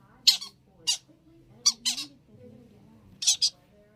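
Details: Young pet yellow-sided conures at play, letting out short, harsh, high squawks, some single and some in quick doubled pairs, spaced irregularly with quiet gaps, over a faint low indoor hum.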